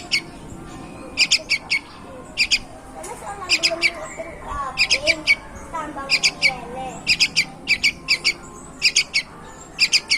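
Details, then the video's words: Sooty-headed bulbul, a promising young bird: short groups of bright chirped notes recur about every second while softer lower chatter and sliding calls run beneath, over a low background hum. "bibit unggul burung trucuk gacor banget!"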